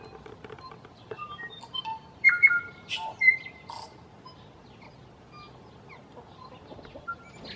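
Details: A male tui, a New Zealand native bird, gives a brief burst of song: clear ringing whistles and bell-like notes mixed with clicks and wheezy chatter, over a soft background hiss.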